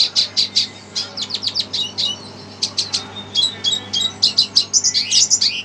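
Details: Red siskin reacting emotionally to a played recording: rapid high chirps and twittering notes in short bursts, some clustered trills, strung together with brief pauses, clear against a quiet background hum.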